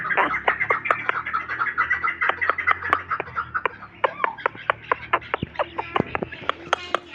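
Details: Hybrid chukar partridge calling: a loud, steady series of short, sharp clucking notes, roughly two per second, running through the whole stretch with slight variation in pace.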